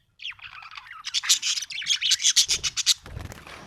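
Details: Happy budgerigar chirping in a rapid, scratchy chatter, a run of quick buzzy notes repeated several times a second for nearly three seconds, then a soft rustle.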